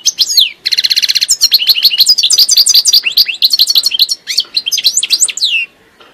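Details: Goldfinch singing a long, continuous twittering phrase: brief buzzy trill near the start, then many quick rising and falling chirps strung together for about five seconds before stopping.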